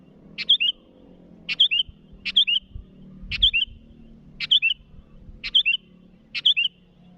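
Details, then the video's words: Sooty-headed bulbul calling rivals: a short phrase of a sharp click followed by two bubbly, slurred whistled notes, repeated seven times about once a second over a faint low hum. "Suara burung Kutilang Gacor memanggil lawan"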